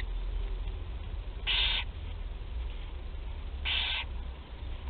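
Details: On 8 July 2020 in Théding, barn owl young at their first feeding give two rough, hissing snore-like bursts, a couple of seconds apart, against constant low-frequency background noise.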